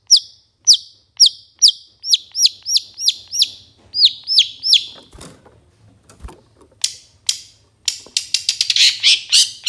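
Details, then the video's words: Long-tailed shrike singing on a master recording for training songbirds: a quick series of high whistled notes that dip and rise, then a pause with a couple of clicks, then dense rapid twittering chips. "Masteran Suara Cendet"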